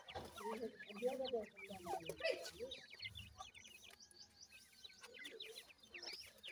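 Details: Feeding grey francolin chicks seven days old keep up rapid high peeps and downslurred chips. A lower, soft clucking runs beneath during the first half.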